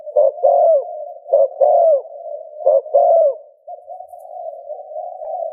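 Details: Cooing spotted dove, sound meant to rouse another dove to coo: three paired coos, short then long and falling, followed by a few seconds of only a steady hum.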